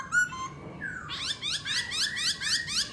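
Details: ['Black laughingthrush singing and dancing: a few scattered notes and a descending slur, then a rapid run of buzzy, rising chattering notes repeated around four times per second.']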